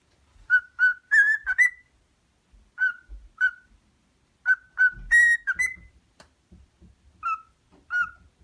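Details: A pet cockatiel whistles Queen's pop melodies "Another One Bites the Dust" and "Radio GaGa" in clear, bright, rhythmic phrases.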